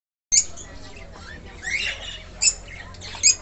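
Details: Baby cockatiels just out of the nest on their first flight: a few short, harsh, screechy squawks scattered over a few seconds, with a rasping call in the middle, over a soft steady background hum.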